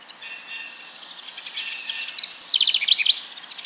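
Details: House wren singing in April in Fauquier County, Virginia, just after arriving overnight on spring migration to set up territories: a rapid, bubbling jumble of high chattering notes that swells louder toward the end, fast and uneven.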